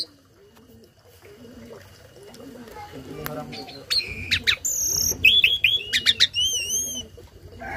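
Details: Quiet cooing-like murmurs open, then a tame starling used as a tutor for other birds breaks into sharp chips, high whistles and a series of arched whistled notes.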